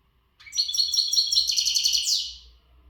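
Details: Untutored goldfinch from the Gharb in readiness singing: a fast, ringing trill of repeated bright notes building into a denser buzzy flourish that slides downward at the end.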